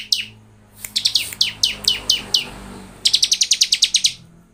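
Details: Bar-winged prinia lure song for coaxing birds into song: a run of separate sharp downward chips, then a fast rattling trill of high notes, over a faint background hiss.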